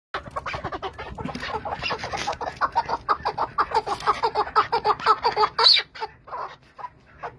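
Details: Chukar partridge calling in the Zagros: a fast run of chuckling notes, about three per second, building to a louder, denser stretch before tapering off into scattered chucks.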